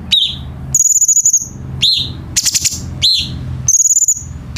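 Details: Cucak cungkok bulbul song, used to train captive birds: sharp rising slurred notes alternate with high pulsed trills, with a brief dry rattle in the middle.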